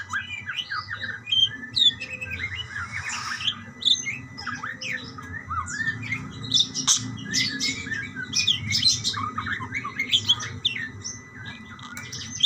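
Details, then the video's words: Several budgerigars trading calls, a long chatter of scratchy squawks, clicks and warbled chirps that swells and dips, with low room hum beneath. "burung parkit bersautan"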